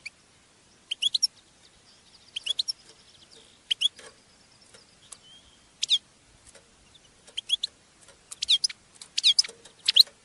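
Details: Female European goldfinch batbata calls, used to stimulate males to sing and mate: short, sharp, high twittering bursts scattered through quiet gaps, with a denser cluster of rapid chirps toward the end.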